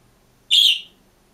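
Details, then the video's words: Green budgerigar kept alone in a cage gives one loud, sharp, high-pitched chirp, slightly falling at the end, against a quiet room background. "МИЛЫЙ И ЗАБАВНЫЙ ПОПУГАЙ ПОЕТ И ЧИРИКАЕТ/ОДИН В КЛЕТКЕ"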